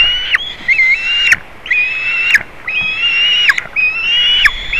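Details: White-tailed eagle nest in Latvia on 27 June 2019, with a juvenile visiting the eaglets. Loud, level whistled calls of about a second each repeat four times, and each call is cut off by a sharp click and a falling tail.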